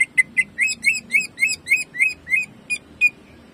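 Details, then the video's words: Greater green leafbird kept in a cage singing its 'jamtrok' shooting song: a brisk series of about a dozen loud whistled notes with rich overtones, slightly uneven in rhythm, fading after three seconds. "CUCAK IJO GACOR JAMTROK TEMBAKANYA BIKIN PANAS"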